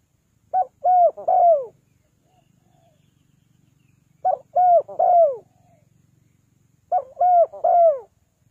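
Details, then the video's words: Spotted dove from Ninh Thuận, a calling bird used to lure others down. Three-note phrases of arched, hollow coos, the last note longest, repeated about every three seconds, with quiet gaps and a faint low hum between. "เสียงนกเขาใหญ่ 3กุกห้อย เรียกลงกุก2กุก"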